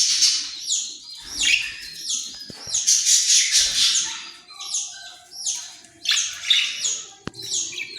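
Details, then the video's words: Australian parrot giving bursts of harsh, high, downslurred squawks and chatter, separated by brief pauses, with faint low rustling and a sharp tap. "Australian parrot"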